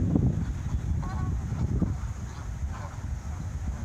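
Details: Canada geese taking off, giving a few short honks with stacked harmonics about a second and a half apart, half-buried under heavy, rumbling wind noise.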